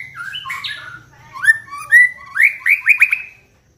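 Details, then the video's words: White-rumped shama singing, used as a lure to provoke another bird's song: varied fluty whistles, then a burst of quick repeated upward-sweeping notes ending abruptly. "pancingan MURAI BATU agar GACOR dan LANGSUNG EMOSI bongkar isian"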